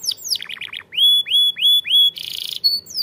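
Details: Canary song meant to train young canaries, like a champion: a few falling chirps, then four clear rising whistles about half a second apart, a harsh buzzy burst and a final sliding whistle.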